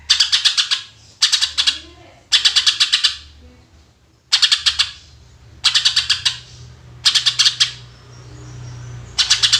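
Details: Greater green leafbird singing its tembakan bursts as bait for other birds: repeated rapid rattles of harsh, high pulses in short groups, some bursts paired closely, a brief lull near the middle, and a soft background hum throughout.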